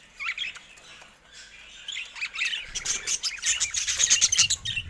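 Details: Budgerigars kept in a cage, pecking at a camera: soft warbling at first, then fast rapid-fire tapping clicks mixed with high chirps.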